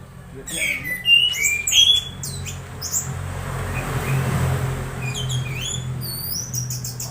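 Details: Orange-headed thrush giving strange sounds while being conditioned, used as playback to stimulate other thrushes to sing loudly during morning dewing; loud sharp whistled squeaks and rising slurs, brief pause mid-clip, then high thin chirps, low hum beneath.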